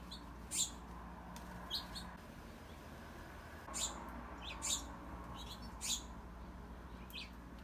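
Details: House finch fledgling in a Southern California garden, fresh out of the nest, begging from its parents with thin, high cheeps, about five short notes spaced a second or so apart, over a low steady background hum.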